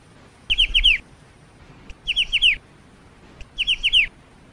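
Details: Black-winged starling song as three evenly spaced phrases, each a quick series of four clear, falling whistles about one and a half seconds apart, with faint single clicks between them.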